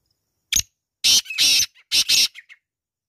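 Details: A black francolin, possibly a female, gives one loud, harsh phrase: a short click-like note, then three grating, rasping notes, ending in a few faint chips. No other sounds.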